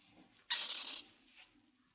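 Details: Cockatiel giving one harsh, raspy screech of about half a second. It is loud and broadband with a bright high band, then fades into a faint quieter rasp and near silence.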